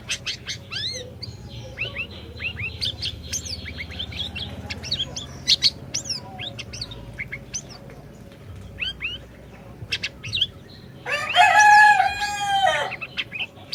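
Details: Orange-bellied leafbird singing steadily, a lure for a silent bird: long run of high whistled slurs, upsweeps and chips, ending in a loud harsh nasal burst with descending whistled tones.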